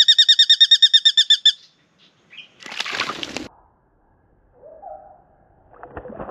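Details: Spangled drongo in Australia, having come down low to bathe and sing: a fast run of about fourteen metallic ringing notes, then loud flapping and splashing of wings, a short whistle and further rustling.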